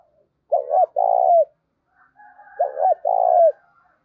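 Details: Decoy spotted dove luring wild doves with 'giọng thổ' cooing: two low phrases, each a clipped double note followed by a sustained falling coo, separated by a pause with faint higher notes.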